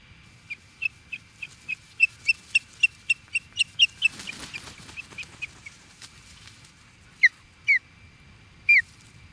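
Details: Agitated Osprey near Charlo, Montana, USA, confronting an intruder: a fast run of about fifteen high, clipped whistled chirps, then a burst of rustling noise, followed by three longer, downslurred piping calls over low rumbling background.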